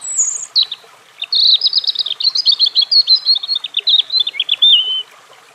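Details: European robin singing: a thin high whistle opens, then a fast, varied run of twittering, scratchy notes tumbling on for about four seconds before stopping.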